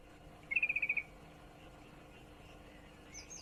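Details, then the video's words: A female yellow-vented bulbul in breeding condition calls for a male with a single fast rattle of seven crisp, level notes lasting half a second, then near quiet. "trucukan betina birahi memanggil jantan"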